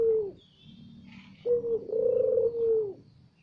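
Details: Loud lure call of a puter (Barbary dove): a short low coo followed after a pause by a longer, steady, slightly wavering coo, deep and hollow, with faint background noise.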